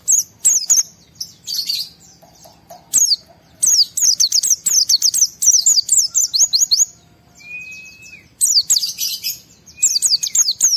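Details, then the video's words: White-eye in high emotion, a lure for other white-eyes to sing along: long, lively series of shrill, rapidly repeated down-slurred notes in several bursts, with a couple of thin sustained whistles in a lull. "Pleci Mental baja EMOSI Tinggi ampuh mancing semua pleci segera gacor buka paruh"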